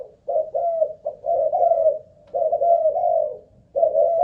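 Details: Spotted dove used as a decoy bird, cooing through a stamina trial: longer, rolling coo phrases with several notes run together, mellow and low-pitched, with short pauses between bouts.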